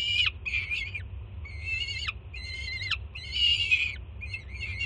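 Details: Young female peregrine falcon at a Jersey City nest, June 2017, screaming excitedly as her first-time mother brings food in the morning: grating, harmonic-rich wails about half a second to a second long, sliding down at their ends, with steady background rumble.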